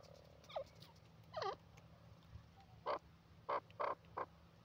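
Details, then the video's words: A francolin, possibly grey francolin, gives two quick downslurred whistles, then four short, harsh, grating notes about a third of a second apart, over a faint low hum. "teetar ki awaz,the stunning sounds of francolin bird awaaz"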